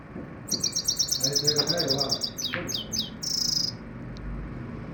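Common Iora giving a fast run of high, sharp chirps, then a few quick downslurred notes and a short buzzy trill; faint low murmurs underneath.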